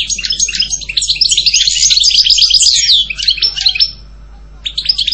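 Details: Loud, continuous European goldfinch song, a dense tinkling twitter of high bright notes for about three seconds, then a short silence and a few more chirps.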